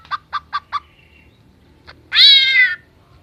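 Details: Greater green leafbird copying a chicken and a cat: four quick, evenly spaced clucking notes, a faint click, then one long, slightly falling meow-like wail.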